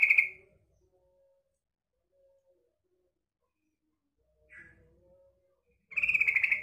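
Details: Female sooty-headed bulbul calling, used as a lure for untrained males: a short rapid chattering burst opens, a brief faint note follows in the quiet middle, and a longer buzzy pulsed rattle ends the recording.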